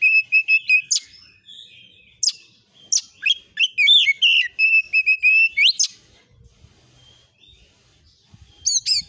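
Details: Oriental magpie-robin singing on a lure recording to trigger responses: repeated clear whistled notes, a varied stretch of sweeps, trills and buzzy notes with an upward slur, then near silence and a final quick phrase.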